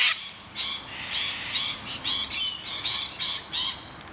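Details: Distressed rainbow lorikeets screeching while defending their nest hollow from attacking noisy miners: harsh, broadband screeches repeated roughly every half second, each a short burst rich in high overtones.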